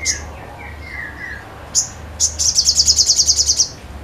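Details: Sogon singing energetically, opening with a few short high notes and thin descending whistles, then a fast run of about twelve sharp high chips in steady succession; low background hum throughout.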